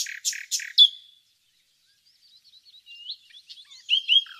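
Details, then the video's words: Common nightingale singing in nature near Laleli, Yol-çatı village, Bursa, Turkey: three loud buzzy chirps and a falling whistle, a pause, then soft high twittering phrases ending in clearer whistled notes. "Bülbül Ötüşü"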